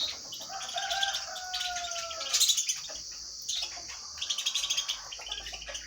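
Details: Lovebirds calling while eating food: busy shrill chirping and squeaks, quick bursts of high notes, with a couple of long, smooth, slightly falling whistled tones early on, over a steady high hiss.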